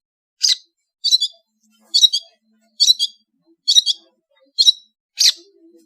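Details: Long-tailed shrike from Madura in vigorous song, repeating a short doubled scratchy chirp about once a second, seven times in a row, ending on a single rougher note.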